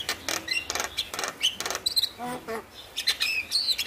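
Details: Male Javan myna singing in a varied, harsh medley: broadband raspy bursts mixed with short whistled notes and chattering phrases, used as a prompt to get reluctant mynas to sing.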